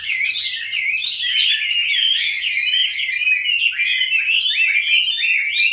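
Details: A Chinese hwamei kept caged from capture as a juvenile into its fifth year sings a rich, steady cascade of fluty, slurred notes, full and continuous from start to finish.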